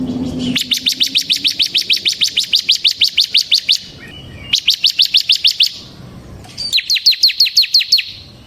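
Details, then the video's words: Bar-winged prinia, a kept bird in full continuous song used to lure and tutor other prinias: long, fast series of sharp, high, downslurred chirps, about three per second-burst, in three bursts separated by short pauses. "suara burung CIBLEK SEMI GACOR Ngebren Ampuh untuk Pancingan Ciblek Kristal dan Masteran Ciblek"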